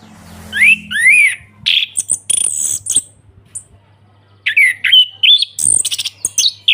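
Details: An orange-headed thrush gives full ngeplong song, meant to coax silent birds: rising slurred whistles, buzzy high notes, a quiet gap, then a fast sequence of varied whistles and chips, with faint low hum.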